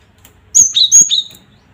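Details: Gelatik batu, or cinereous tit, calling to provoke rivals: a short phrase of high piercing whistles, two long upper notes each followed by a lower dropping whistle, crisp and close with a quiet background.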